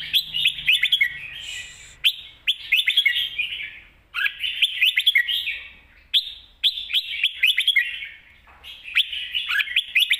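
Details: Red-whiskered bulbul singing energetically in the 'mae bot sap krajai' style: dense rolling phrases of rich warbled chirps roughly every two seconds, each a quick tumbling run of bright notes.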